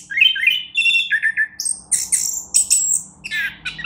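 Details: Orange-headed thrush, a champion songster, gives loud rolling whistles followed by very high, drawn-out squeaky notes and scratchy chatter, all delivered fast and continuously.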